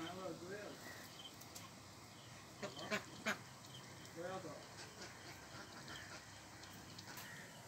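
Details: Mallards, Mandarin Ducks and Pekin Ducks on a pond utter short nasal quacks at the opening and again midway. Soft clicks and other low sounds run between the calls.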